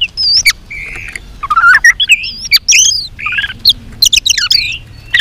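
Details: A white-rumped shama sings an intense, tail-flicking fighting song in many voices: a rich, varied stream of looping whistles, slurred warbles, short chirps and sharp clicks with brief pauses.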